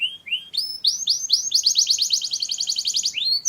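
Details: Mushti-style canary song meant to stimulate females for mating: a few rising whistled notes lead into a fast, bright, rolling trill of repeated high syllables, ending with another rising whistle, loud and clean against a quiet background.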